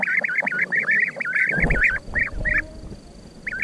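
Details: A dense chain of rolling, trilled calls from a European bee-eater, briefly overlaid by low thumping and rumbling noise midway, then a few more spaced calls.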